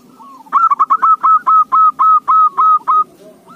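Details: Perkutut, the zebra dove, singing as a lure for other doves: a fast series of about eleven clear, ringing coo notes, slightly lengthening toward the end, with faint softer doves behind.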